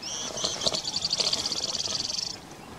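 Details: Many-striped canastero (Asthenes flammulata) at Montepotrero, Huánuco, in October 2018 gives a thin, high note, then a dry, even trill of about ten notes a second lasting under two seconds, over faint hiss.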